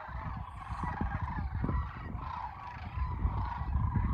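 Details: Sandhill cranes at Kearney, Nebraska, on March 28, 2022: a dense chorus of rolling, trumpeting calls from many birds overlapping continuously, with heavy low rumbling wind noise.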